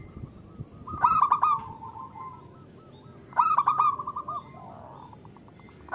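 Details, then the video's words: Female zebra dove calling a male, played to stir males into singing. Two loud stuttering bursts about two seconds apart, each trailing into a softer run of repeated cooing notes. "Suara Perkutut Betina Memanggil Jantan"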